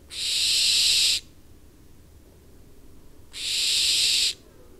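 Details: In September, a pair of barn owls hiss loudly. Two strong, breathy rasps of about a second each are separated by two seconds of near silence, with the high hissing sound dominating the recording.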